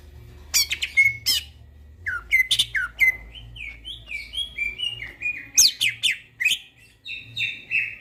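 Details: Midnight gacor song of a greater green leafbird: harsh scratchy bursts open the phrase, then a steady chain of short downslurred whistles, followed by more rasping notes and quick whistles; a low steady hum runs throughout.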